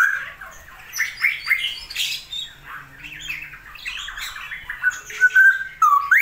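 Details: Caged straw-headed bulbul, kept by bird hobbyists in Indonesia during a rainy season, giving loud gurgling, bubbly warbled phrases with rising and falling slurred notes, ending in a strong upward whistle.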